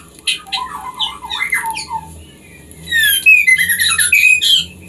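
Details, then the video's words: A female white-rumped shama sings to stimulate the male into breeding; soft low whistled notes open, followed by a dense, loud stretch of high chattering and thin whistles. "Murai Betina Memancing Birahi Murai Jantan"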